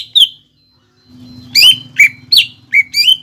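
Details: Greater green leafbird song played as a lure to get a bird singing: a lone sharp note, then a handful of loud, slurred whistled chirps with a faint low hum behind.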